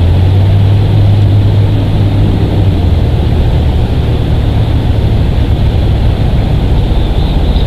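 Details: Loud, constant engine-like rumble and wind roar fill the recording, with no animal sound heard.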